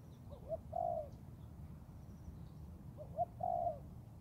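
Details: Young Thai spotted dove in forest practice: short introductory notes then an extended, gently falling coo, repeated twice with quiet rumbling in the background.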